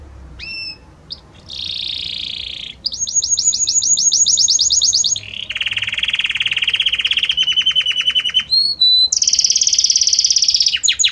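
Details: Belgian canary singing a harmonious song of many different notes that shifts gradually from one to the next: high whistles, a buzzy stretch, fast repeated high chirps, then a lower rattling trill, and a bright high buzz near the end.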